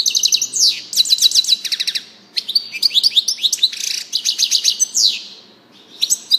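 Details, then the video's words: European goldfinch singing a loud, fast twittering song of tinkling notes, rapid trills and quick rising and falling slurs in bursts, with a brief pause near the middle and near-silence toward the end. "chardonneret song saka kuşu sesi"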